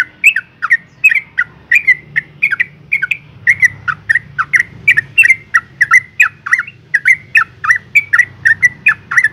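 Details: A female Yellow-vented Bulbul in breeding condition calls to attract males, giving a fast run of bubbly, chattering notes, about three each second, over a faint low hum.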